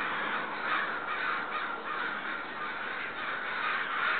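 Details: Agitated neighborhood crows keep up a loud, sustained chorus of rough caws. Several birds call over one another, so the harsh notes blur into a continuous, pulsing din.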